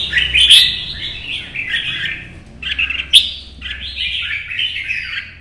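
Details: Competition-singing red-whiskered bulbul (chào mào), early-morning 'chạy cầu' solo: three dense bursts of rich, warbled phrases separated by brief gaps, with a sharp click and low hum behind.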